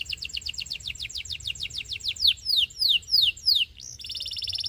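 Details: Belgian canary singing to teach young canaries: a quick series of falling whistles slows into louder drawn-out downslurs, then a sudden buzzy high trill.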